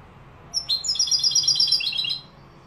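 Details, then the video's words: Malaga-style song of a European goldfinch from Morocco: one continuous high, tinkling trill of fast repeated notes, about one and a half seconds long, over quiet background hiss. "jilguero malaga maroc. أداء روعة ماشاء الله تغريد كوبيا ملقا"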